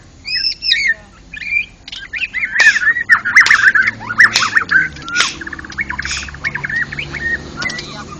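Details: National champion white-rumped shama at a songbird contest, singing ngeplong gacor: fast twittering and chattered phrases mixed with sharp clicks, steady and busy throughout.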